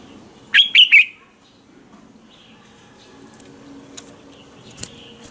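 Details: Red-whiskered bulbul morning training song, a lure for exciting other bulbuls into singing. A single brief phrase of three sharp, clear whistled notes, then quiet with a few faint clicks.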